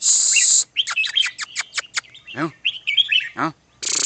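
Red-whiskered bulbul giving a quick run of bright chirps, then bubbly whistled phrases. Bursts of hiss at start and end, and two brief low voice-like sweeps.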